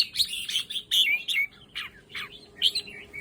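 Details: Caged red-whiskered bulbul from a breeder's stock delivering bright, chattering whistled phrases, a burst of loud notes at the start, then softer slurred notes trailing off.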